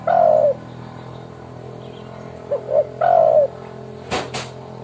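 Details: Spotted dove calling to challenge a rival, a call used to lure birds for trapping; low soft cooing phrases, one long coo, two short notes and another long coo, followed by a brief clatter.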